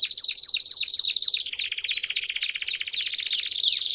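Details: Several Belgian canaries singing together in a tight, fast, metallic trill. Steep descending slurs fall through it at a quick pace.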